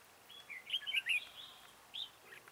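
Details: Red-whiskered bulbul singing at a trap as a lure. A rich, slurred, whistled phrase with rising and falling notes is followed by a single separate note.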